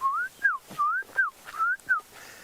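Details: On a morning safari drive on 30 October 2015, a calm, misty morning with the sun warming, an unseen Klaas's cuckoo calls from not far away: clear, plaintive two-note whistles, rising then falling, repeated three times quickly; faint hiss.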